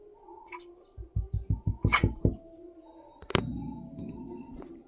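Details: Two woodpeckers knocking on a house window early in the morning, filmed on a mobile phone indoors; a burst of about eight quick, hard taps over roughly one second, then a loud thump and room hum.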